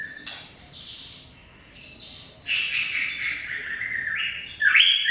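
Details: Greater green leafbird in continuous 'ngoceh' chattering: soft scratchy notes at first, then a louder burst of tumbling whistled phrases halfway through, ending in a sharp bright upward flourish.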